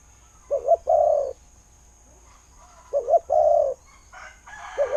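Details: Spotted dove kept as a decoy in Thailand cooing twice, a stuttered double note then a long mellow coo each time, with a brief rustling noise near the end.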